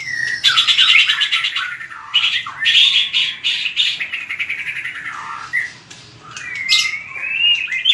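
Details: Fighting song of a white-rumped shama for voice training, a dense run of fast trilled and chattering notes, brief pauses, then clear sliding whistles near the close.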